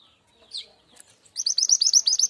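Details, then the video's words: Lure call of a mountain Javan sunbird used to attract wild birds: a brief high slurred note, then a rapid string of about ten piercing hooked chips delivered evenly. "SUARA PIKAT LIAR BURUNG MANTENAN GUNUNG"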